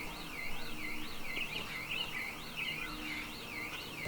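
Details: A wavering, siren-like tone rises and falls about once a second over low background noise, with no animal voice heard.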